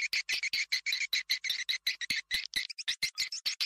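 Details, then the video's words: Swiftlet attraction call played to lure birds in Gorontalo, Indonesia: a rapid string of sharp, high chirping pulses, about five to six per second, evenly spaced with brief silent gaps. "Tes suara panggil walet terbaru di GORONTALO"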